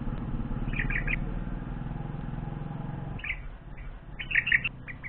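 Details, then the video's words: Hungry bulbul nestlings, four days after hatching, in a morning nest scene: short bursts of high, scratchy begging chirps in two or three clusters over a few seconds, over a low engine-like hum that fades. "Hungry baby birds"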